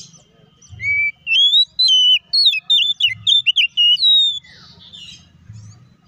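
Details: Oriental magpie-robin song intended to make another kacer respond quickly and sing agitated; a clear whistle opens a dense three-second run of jumping whistled notes, ending with a softer rasp and light background rustle.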